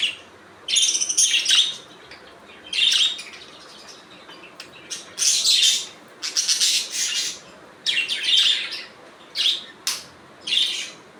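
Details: Budgies calling naturally, a lively run of scratchy chirps and chattering warbles delivered in repeated bursts of about a second each, separated by brief silences, all high-pitched and buzzy.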